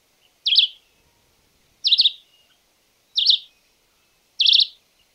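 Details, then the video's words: Red-eyed Vireo (chivi chivi) song: four short, slurred, high warbled phrases, each about a third of a second, spaced roughly every 1.3 seconds, with no other sounds. "Chivi chivi"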